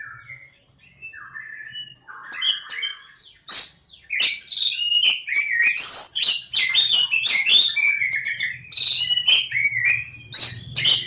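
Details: Oriental magpie-robin, known as Kacer Jawa, lebakgowah: a few soft separate whistles open the clip, then from about two seconds a loud, busy torrent of mixed whistled, trilled and harsh notes runs to the end.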